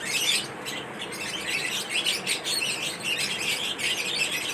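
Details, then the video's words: A lovebird mating ritual: squawky, high chirps and sharp squeals tumble together in an unbroken, uneven chatter, loudest right at the start. "lovebirds mating Rituals l love bird sound l attract your love birds chirping sound lovebird"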